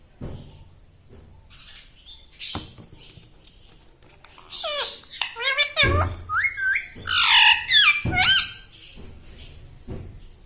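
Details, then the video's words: Pet green parrot that says "Mummy", mimicking human speech indoors: after four quiet seconds, a run of high, bending, voice-like syllables, loudest around seven seconds, with a few thumps. "Talking Like a Human - Mummy Bolne Wala Tota - Talking Parrot"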